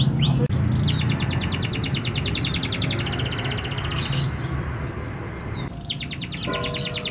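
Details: Canary singing to encourage lazy canaries to sing: long fast buzzy trills of high repeated notes, broken by a short pause, then another trill, with a steady low background drone.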